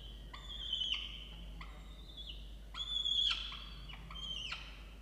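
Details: A peregrine falcon calls angrily at its mate over a missing breakfast from a nest box in a water tower in Orange, New South Wales, Australia, 8 November 2022. Four drawn-out, harsh, rasping wails, each rising and breaking off, are separated by short pauses.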